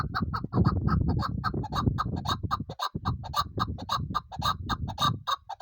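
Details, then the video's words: Female chukar kept for hunting keeps up a steady stream of harsh clucking notes, several per second, set against a constant loud low rumbling background. "female shikari chakor ki awaz sound"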